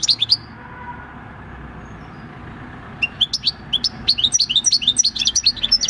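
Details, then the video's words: European goldfinch, six-year-old wild-caught bird with field-style song, 26 December 2019; a short twitter, nearly three seconds of quiet background hum, then a fast run of high chirping notes. "Jilguero campero "EL CARBONERO" / Chant du chardonneret / Goldfinch song"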